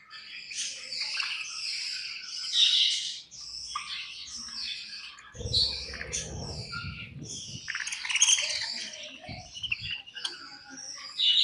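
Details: Budgies eating and chirping, a dense stream of high warbling chatter and squeaky notes, with a burst of low rustling and clicking from feeding midway.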